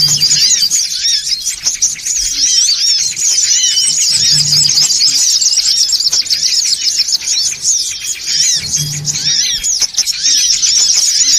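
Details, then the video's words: Songon otong birds in a noisy lure recording used to draw birds in: a dense, unbroken chorus of high, thin chirps and arched twittering notes from many birds at once, with a faint low hum beneath. "SUARA PIKAT SONGON OTONG (RIBUT) AUTO KUMPUL"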